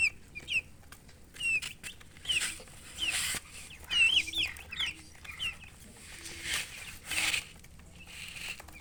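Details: Baby chicks chirping alongside hens: clear high descending peeps in loose bursts, with intermittent broadband rustling and scratching noises and a faint low hum.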